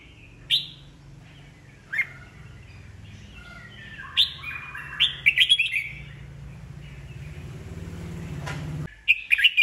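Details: Red-whiskered bulbul, old and wild-caught, singing to rouse rival birds into competition: scattered sharp whistles, then a quick warbled phrase of bright notes, over a low steady hum rising in the background.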